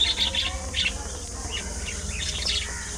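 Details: Budgerigar colony, loud chattering opening with rapid scratchy chirps, then softer warbled notes from several birds over continuous background hiss.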